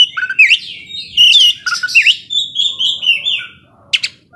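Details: Energetic ngobra song of an Oriental magpie-robin, used to stir up slow-tempered rivals: sliding whistles dipping and rising, a sustained high warbled phrase, then a pair of sharp clicks.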